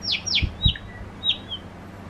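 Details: Pet Java sparrow courting while being stroked; a few high descending chirps and short thin notes, with two soft low thumps between them.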